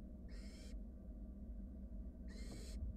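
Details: Barn owl nestlings in a monitored wild nest box, a sibling swallowing a rat nearby, give two noisy hissing begging screeches about two seconds apart against steady low hum.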